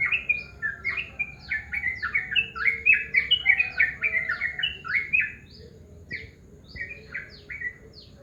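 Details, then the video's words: Morning calls of a yellow-vented bulbul, a dense run of quick bubbly, slurred notes chattering for about five seconds, then thinning to a few scattered single notes over a quieter background hum. "Suara panggilan burung Trucukan di pagi hari"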